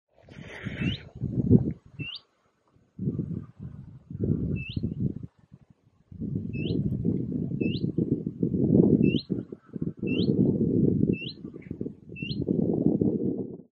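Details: A common redstart at Neusiedler See in September 2024 gives short, rising 'hweet' whistles about once every second or so, with heavy wind rumble underneath.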